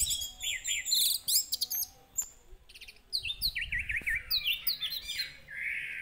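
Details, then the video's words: Orange-headed thrush singing, used to excite a bird into song: fast, varied, chattering phrases with a run of wavering trilled notes, ending in a sustained rising whistle. "pancingan anis merah agar cepat emosi dan bunyi"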